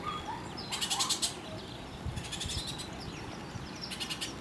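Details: Bullock's oriole nestlings calling in short bursts of rapid, harsh, broadband raspy notes, three clusters of pulses separated by pauses, with a faint low whistle and background hum.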